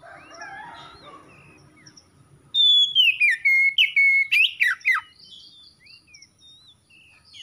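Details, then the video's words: Magpie-robin singing after a quiet start with faint distant chirps: a loud clear whistled phrase sliding down, followed by several sharp rising and falling whistled notes in quick succession, then softer scattered chirps. "KACER SETRES MACET BUNYI LANGSUNG GACOR"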